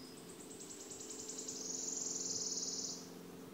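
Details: Wood warbler song from Březinka nature monument near Náchod-Běloves, Czech Republic, early June 2016: spaced sharp ticks speed up into a loud, sibilant, quivering trill lasting over a second, with a low steady hum behind.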